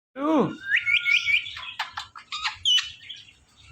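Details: Male pet Indian ringneck parakeet talking: a falling harmonic-rich sweep, then a run of bright whistled tones held level, followed by quick clipped chirps and squeaky bursts in a small space.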